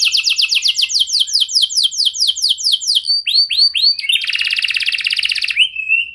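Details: Canary in song to stimulate other canaries: quick descending high notes, several curved whistles, then a steady buzzing trill ending in a rising note.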